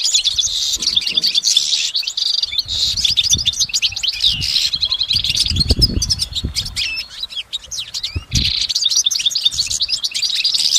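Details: Goldfinch song recorded in nature: a dense, unbroken stream of high tinkling twitters, chirps and buzzy trills with hardly any gap, over soft low background rumble.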